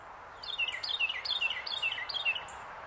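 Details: A Carolina wren perched on a branch in Pennsylvania in January 2024 sings a rapid string of loud, ringing, two-part phrases, each dropping in pitch, repeated about every half second over a soft background hiss.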